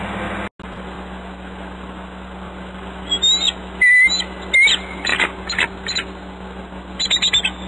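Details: Male bald eagle sounding alarm at the nest on the Humboldt Bay nest cam, 15 May 2013, around 5:30 pm; high, thin whistled chirps and chattering bursts fill the second half over a steady low hum.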